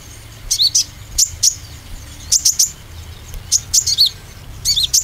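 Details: Oriental white-eye lure song for green and speckled birds: paired and tripled high chirps, each group about a second apart, some with dipping twittered tails.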